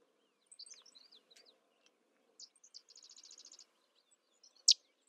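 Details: Sedge wren song: high, dry chips followed by a rapid staccato chatter of about a dozen notes, with a sharp loud note near the end; quiet background otherwise.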